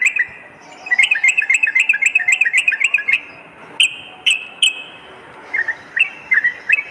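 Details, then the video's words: Sooty-headed bulbul lure and tutor song, morning and night: a long run of rapid, bright chirps, then scattered single sharp notes and short chirping pairs. "suara pikat dan masteran burung trucuk gacor pagi dan malam"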